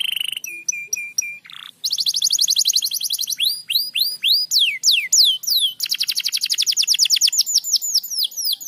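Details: Dense gacor rapat song of a crested canary: short level notes, a buzzy trill, then looping upswept whistles alternating with fast rattling rolls, singing almost without pause.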